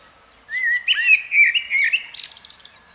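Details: A blackbird's melodious fluting phrase, several smooth rising and falling whistles run together, closing with a softer, high-pitched twittering tail; clean, quiet surroundings.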